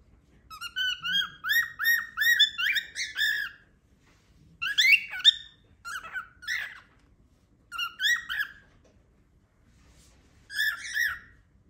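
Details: Pet cockatiel making loud noises, its owner wondering whether it is trying to say a word: bursts of rapid, harmonic, chirping squawks in five bouts separated by short silences, against an otherwise quiet background.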